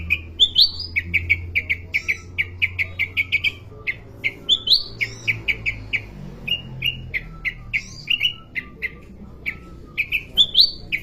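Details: Sooty-headed bulbul song: a fast run of short bright chirping notes, many repeated in quick succession, broken by occasional higher rising whistles, with a low rumble underneath.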